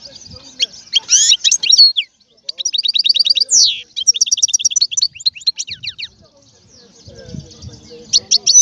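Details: European goldfinch song in bursts of high, liquid twittering. Fast trills alternate with sharp rising and falling sweeps and short buzzy runs, broken by brief pauses. A soft low murmur is heard near the end.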